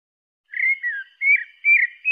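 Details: Song of a pale-breasted thrush: three clear whistled phrases, the first gliding down, the others slurred up then down, delivered against total quiet.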